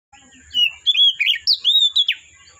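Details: Oriental magpie-robin singing in the forest: a loud run of varied whistled phrases, sliding notes rising and falling, with sharp downslurred notes near the end, over a steady faint high tone.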